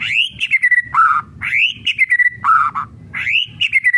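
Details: Murai batu, white-rumped shama, in kretekan song used to trigger other shamas: a repeated phrase of a rising then falling whistle followed by a lower burred chatter, given three times in four seconds.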